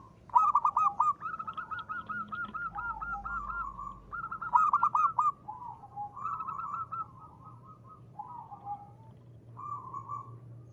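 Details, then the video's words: Zebra dove, local bird, in full ngristal-style song: several bursts of fast, rippling cooing notes at a steady mid pitch, separated by brief pauses, with softer trailing coos between them and a faint low hum beneath. "perkutut lokal gacor.suara ngristal ampuh buat pancingan."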